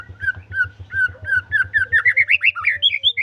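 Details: White-rumped shama in full, vigorous song: rapid, rich whistled notes that climb steadily in pitch and quicken into a loud tumbling run, with a constant throbbing low hum beneath.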